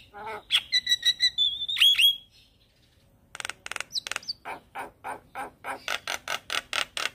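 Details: Black-winged starling (Jalak Kebo) singing gacor, nodding its head: sharp chattering notes, a long high whistle with upslurred squeals, a pause, then a fast run of harsh rasping bursts repeated about three times a second.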